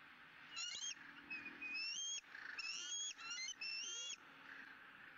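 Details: Bald eagle eaglet at a Southwest Florida nest, 20 April 2017, squealing with joy at its second fish of the day: a tight run of shrill, upward-sliding whistles, some clipped short, others long and level.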